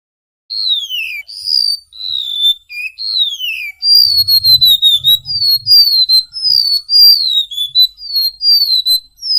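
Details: Golden-bellied gerygone in energetic tutor-recording song for cage birds: sweet, high whistled notes, many sliding downward, some level, strung in quick succession over nine seconds, with brief low thumps in the middle.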